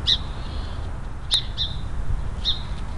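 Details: In Oregon's Willamette Valley, a song sparrow scolds a passing bobcat with four sharp, high, ticking chips at uneven intervals, over a low, constant rumble.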